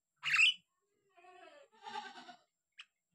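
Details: Javan myna song: a loud harsh squawk followed by nasal, harmonic, wheezy warbling notes and a brief click at the end.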